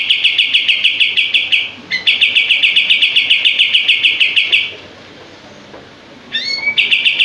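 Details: Common iora, locally kapas tembak, in full song: long rapid streams of sharp repeated buzzy notes, a short gap, another run, then a quiet pause before a rising slur restarts the fast series.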